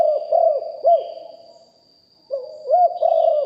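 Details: Spotted dove, a decoy bird prized for a deep voice, recorded live; low hooting coos in two bursts with a bouncy, rolling pattern and a pause between phrases, over a steady high-pitched electronic whine.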